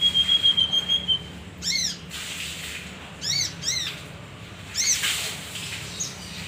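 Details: Male leafbird (kinoi) recorded as a lure for other birds: a thin, steady high whistle, then harsh, arching, buzzy notes given singly and in pairs, with a low background hum.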